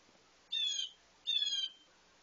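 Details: A very loud blue jay approaching a feeder for breakfast gives two harsh, nasal screams, each under half a second, about three-quarters of a second apart; nothing else stands out.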